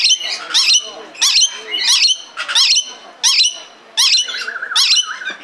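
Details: A zoo-kept red lory in Belgrade, Serbia, 2022, repeats grating, strident screeches roughly every two-thirds of a second, ending in a longer wavering squawk.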